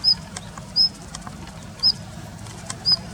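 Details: Daurian redstart in a plum grove in late February, wintering and holding a territory there; short high thin whistled calls repeated about every second, over steady background noise.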